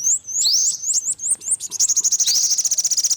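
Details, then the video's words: Olive-backed sunbird, yellow-bellied: several high rising whistled notes, then a fast steady trill of sharp pulses to the end. "tiếng chim hút mật 5 màu bụng vàng"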